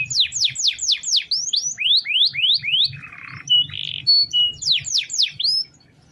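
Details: Canary song for tutoring other birds: series of sharp downslurred whistles, rising notes, a brief harsh buzzy burst and steady tones, then more downslurs.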